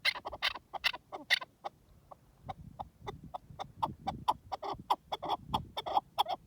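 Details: Loud, scratchy partridge clucks in the wild, a quick burst, a short lull filled with low rumble, then a steady stream of evenly spaced, throaty chuck notes.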